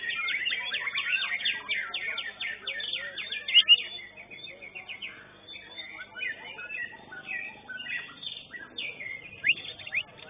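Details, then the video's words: Competition song of a young white-rumped shama at a bird-song contest arena: dense bursts of steep rising and falling notes, loud at the start, then softer mixed warbling with other birds in the background. "MB MUDA"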